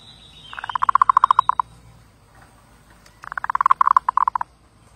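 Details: Zebra dove singing two quick runs of clipped, stuttering coos, each about a second long and separated by a short pause; a thin whistle from another bird sounds at the start.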